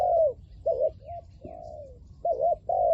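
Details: Spotted dove as a hunting decoy for wild doves, 'lio tan' call: a loud falling coo, a short double note, a drawn-out softer descending coo, then two more strong coos, low hum in the background.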